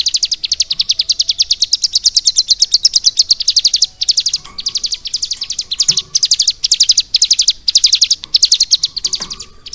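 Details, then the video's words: Ciblek gunung (prinia) kept in a cage and trained roughly three months on lovebird song, pouring out a long, loud, continuous high-pitched chatter of rapid notes with only short breaks, a few soft knocks beneath. "CIBLEK GUNUNG GACOR ISIAN LOVE BIRD"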